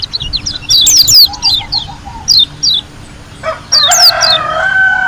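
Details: Energetic white-eye song from Lombok: quick high chirps and bright slurred whistles with a gentle low trill. Near the end a lower, harsher, drawn-out call cuts in.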